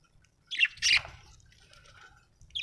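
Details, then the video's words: Happy budgerigar chirping: two loud harsh squawky bursts near the start, then a soft warbling chatter, ending with another short chirp. "Happy budgie chirping sound 🥰 budgie singing sound 😍"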